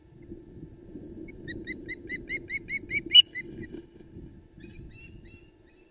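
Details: Wild osprey at a nest in the Loch Arkaig pinewoods, startled by a flapping flounder brought to the nest: a quickening run of about ten clear, whistled piping notes peaking in one loud note, then softer calls, over low rustling and thumping.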